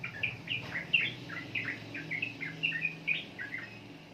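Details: Sooty-headed bulbul (trucukan) song: clear, slurred whistled notes, some sharply downward, delivered in a lively irregular sequence over a faint low rumble.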